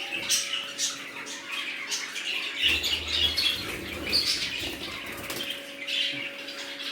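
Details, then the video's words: A new budgerigar colony with red-eyed birds gives softer ongoing twittering and squeaks, with wing flapping and a low rumble partway through, and a faint steady hum. "Budgies Parrots New colony"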